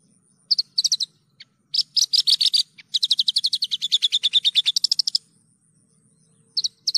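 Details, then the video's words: Javan bush lark singing vigorously in a clear tutor recording: scattered sharp chirps lead into a long, fast, even trill of repeated notes lasting about two seconds before a final pair of chirps. "PANCINGAN/MASTERAN JERNIH BRANJANGAN GACOR"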